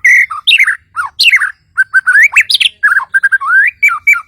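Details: Lively song of a white-rumped shama from Kalimantan, packed with swooping whistles, quick downslurs, short repeated notes and a rising slurred phrase, delivered almost without pause.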